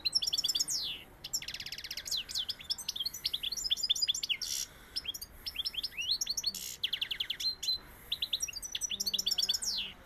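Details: Sevillian-style song of a European goldfinch: fast, bright twittering phrases of tinkling chirps, quick trills and descending slurred notes, with rasping buzzes between bursts and brief gaps.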